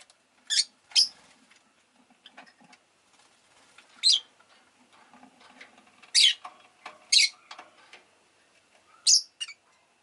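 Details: Rosy-faced lovebird chirps ring out irregularly every one to two seconds, sharp and high, over a low murmur of street noise from traffic and engines.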